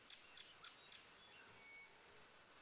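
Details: A puffback shrike in forest on an afternoon safari drive, 11 January 2018, gives four sharp, snapping clicks about a quarter-second apart, with thin high whistles over a steady insect hiss; Kakamega blue monkeys are feeding nearby.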